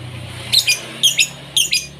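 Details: A blue-ice lovebird gives three pairs of shrill, squeaky chirps about half a second apart, over a faint low indoor hum.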